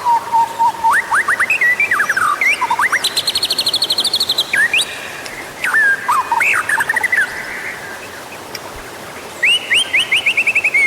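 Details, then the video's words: White-rumped shama singing as a lure to get other birds singing: fast rising notes, a long high rapid trill, downward-slurred whistles, a quiet gap, then a rising series of repeated notes. "Pancingan Murai Batu yang Efektif Burung Gacor dalam Waktu Singkat!"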